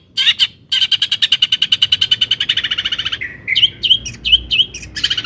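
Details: Long-tailed shrike singing, used to provoke other shrikes: a fast, even run of harsh chattering notes for over two seconds, then a brief pause and a varied phrase of whistled upslurs and sharp chips.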